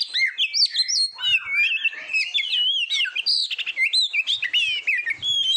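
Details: Oriental magpie-robin song from a training recording used to tutor competition birds: a rapid, varied stream of clear whistles and slurred notes, rising and falling sweeps with quick trills, continuous for over five seconds.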